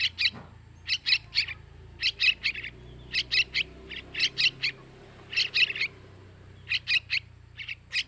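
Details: Sooty-headed bulbul nestlings begging, a lure for males: rapid groups of two to three scratchy, high chirps, repeated regularly over a faint low hum.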